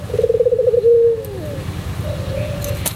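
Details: White pelung Barbary dove performing for a bird-training tutor recording: one low coo opening with a fast rolling trill, then a long level note that slides down, over a constant low droning hum.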